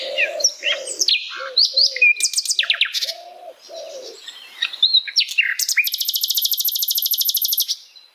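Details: Asian brown flycatcher song recorded in its natural habitat: quick twittering phrases and downward-slurred chirps, low muffled hoots underneath, ending in a long, fast, even buzzy trill lasting about two seconds.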